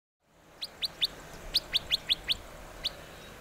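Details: Western rock nuthatch in İzmir, Türkiye, in May 2023, giving nine sharp, rising, clipped notes in a loose, uneven series, with a short gap before the last note, over quiet background hiss.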